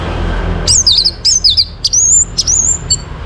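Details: Morning song of an Orange-headed thrush, used to stimulate breeding condition in caged birds: sharp, looping whistled notes with bright rising and falling slurs, delivered in short separate phrases against faint background hum.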